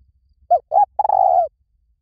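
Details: Close, clear spotted dove call used as a decoy: two short rounded coos followed by a longer, slightly tremulous croo that slides gently downward, against near silence.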